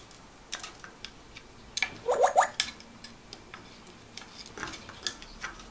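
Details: A pet grey parrot imitates the bubbling of bath water, learned while bathing with its owner, giving a string of soft pops and quick gurgling blips.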